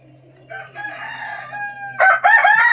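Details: Rooster at a desi chicken farm in Odisha, India, on the day new chickens arrived, giving a harsh, buzzy crow that swells and then breaks into a louder, strained final stretch lasting about two seconds.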